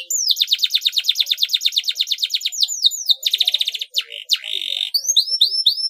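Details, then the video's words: A canary sings a fast, bright song meant to set other canaries singing: a long trill of rapid downslurred notes, then a quicker chattering roll, a buzzy note and high rising whistles. "KENARI MANAPUN AKAN TERANGSANG & IKUT BUNYI DG CUITAN KENARI GACOR YANG INI"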